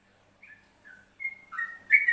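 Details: Yellow-vented bulbul recorded in Trucuk, Central Java, giving a short phrase of separate clear whistled notes that build to a louder, bubbly ending.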